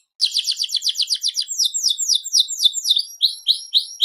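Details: Seri FI canary singing energetically: a quick series of clipped high chirps flows into slower, sweeping downslurred whistles, repeated in an even, lively rhythm.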